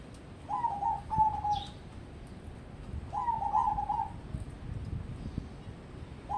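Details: Contest-prospect crossbred zebra dove: two long, bubbling, slightly descending coo phrases about three seconds apart, a third just beginning at the end, with a faint high chirp after the first.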